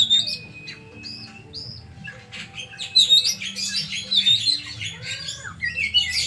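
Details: Oriental magpie-robin (kacer) delivering a rich medley of sharp whistles, clipped chirps and rising slurs, growing denser and louder midway, over a steady low electrical hum.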